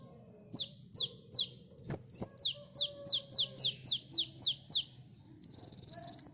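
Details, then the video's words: Lively sunbird song played as a bird lure: a steady series of sharp, high, down-slurred chips, roughly three per second, then a brief high buzzy trill at the end. "Suara burung KOLIBRI gacor ampuh pikat bunyi bahan ombyokan"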